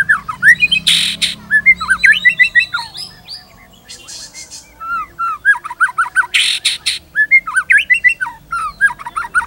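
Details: Energetic white-rumped shama song of rapid varied whistles and chattering phrases, interrupted by harsh noisy bursts, with a short quiet break in the middle.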